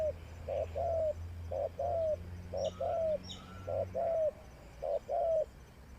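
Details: Decoy spotted dove used in trapping, cooing in quick two-part phrases, a brief note followed by a drawn-out descending coo, about once per second, over faint background hum and a few distant chirps.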